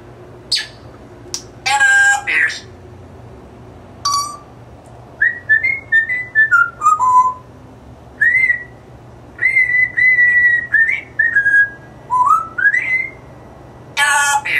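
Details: Pet African grey parrot indoors whistling the Chicago Bears fight song: repeated phrases of clear whistled melody notes, rising and falling, broken by harsh squawky bursts at the start and end.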